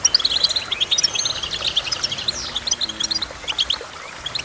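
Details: Goldfinch singing a lively run of high chirps and brief trills, with quick, jumpy notes and a short sliding whistle midway. Quiet low hum underneath.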